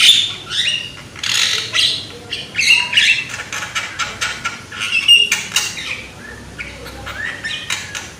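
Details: Young Javan myna singing loudly as a prompt for other mynas to sing: dense run of harsh, raspy squawks and clicks, with occasional thin whistled notes, almost without pause.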